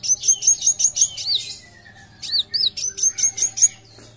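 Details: Van Hasselt's sunbird in full song, meant as a tutor and lure for other birds: quick strings of thin high chirps and curved whistled notes, a brief pause around two seconds, then another fast string.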